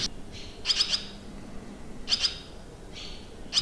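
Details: Barn swallows at a countryside campsite in Limousin, France, on 25 June 2023: short bursts of bright, rapid twittering notes, roughly three quick chirps per burst, with softer buzzy trills between bursts.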